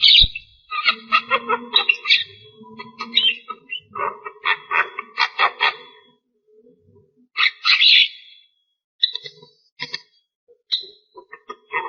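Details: Javan myna singing at length: long runs of harsh chattering and squeaky notes with brief quiet gaps, a loud rasping burst midway, then more scattered chips.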